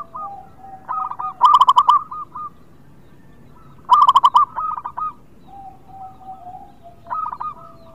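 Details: Zebra dove of a local type, a keen singer, repeats loud bursts of fast, ringing staccato coos roughly every two and a half seconds, with quieter drawn-out cooing between bursts.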